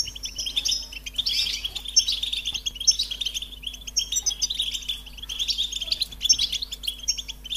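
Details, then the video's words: American goldfinch song: a continuous high, sweet twittering of quick chirps and warbled trills, rising and falling in loudness in waves over a steady low electrical hum. "The Joyful Songs of Goldfinches"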